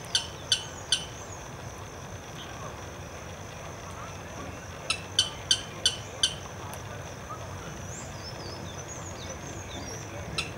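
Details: Alarm calls of a blackish rail in an urban park marsh in Santo André, sharp snapping ticks in short runs: three, a long gap, then five evenly spaced, with a last single tick, over constant low background hiss.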